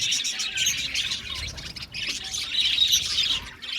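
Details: Budgerigars chirping together in an aviary, a steady stream of high twittering calls and warbles that dip briefly midway and then rise again.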